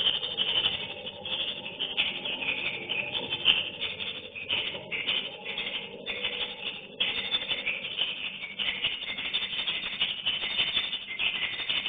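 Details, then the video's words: Many swiftlets of a colony flying into their nesting house, giving a steady mass of high, rattling chirps and twitters that overlap into an unbroken buzzy chorus with small surges. "Detik detik Koloni Burung Walet masuk kedalam rbw"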